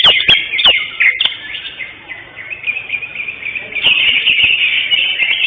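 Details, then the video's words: Contest-winning greater green leafbird singing in a competition: sharp chirps open the passage, then a long, continuous stream of quick high twittering and warbled notes, with clicks and murmuring people behind. "JUARA 1 CUCAK HIJAU JENAR"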